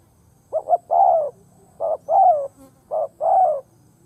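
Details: Spotted dove decoy singing on the ground to provoke wild doves; three quick phrases, the first with two short notes, the later ones with a single short note, each ending in a long, falling coo.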